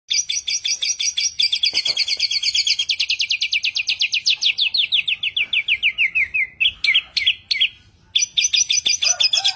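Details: Bird described as a genius mimic of a thousand sounds, singing a loud, snappy song: fast buzzy trills of repeated high notes that slowly fall in pitch, then a few sharp separate whistles before the rapid trill resumes.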